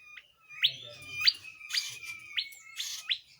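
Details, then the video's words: Tledekan jati, a bird kept for song training, giving clear whistled notes that rise sharply and repeat roughly every half second over a steady high thin tone. "Tledean jati Gacor"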